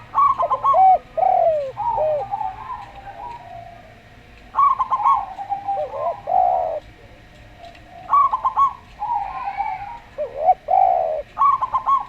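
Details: Slow-style singing of a local Zebra Dove (perkutut lokal): repeated bursts of fast staccato coos trading with slurred, descending coos of a Javan derkuku dove, in a calm setting.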